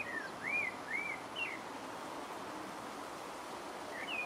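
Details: Pale-breasted thrush (Turdus leucomelas) in French Guiana gives four clear whistled slurs in the first second and a half, then quiet hiss, and one more note at the end.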